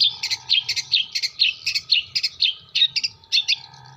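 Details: Long-tailed shrike (cendet) from Jember; fast, scratchy chattering song of twittering notes in quick bursts, continuous and varied, with a constant low hum behind.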